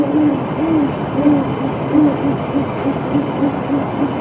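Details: A pair of Great horned owls mating in January 2022 give low, soft hoots that quicken into a steady run of short notes, roughly three per second, over faint background hiss.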